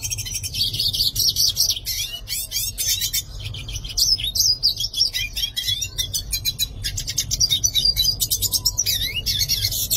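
A Yellow-faced siskin sings a fast, continuous jumble of high twitters, buzzy trills and sharp chirps, with a low steady hum underneath.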